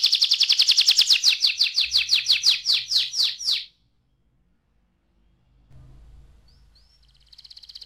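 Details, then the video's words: Young canary gives a loud, quick trill of crisp repeated notes lasting nearly four seconds, followed by quiet with faint low noise and a short high chirping burst at the end. "ampuh membuat kenari muda gacor"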